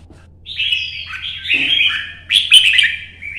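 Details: A single red-whiskered bulbul in 'chạy cầu' competition singing under early sun, aimed at stirring other birds: one long, flowing warbled phrase dipping and rising, then a louder, emphatic ending.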